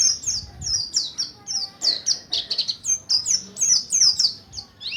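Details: Mountain white-eye of the Buxtoni type practising ngalas ngerol singing as a lure for other birds: continuous shrill chirping, many quick downward-sliding high notes packed tightly through five seconds, with faint low background rumble.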